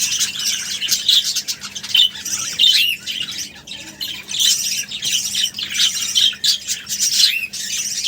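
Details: Baby budgerigars being fed give rapid, high-pitched chattering and squeaky begging chirps in dense, continuous bursts.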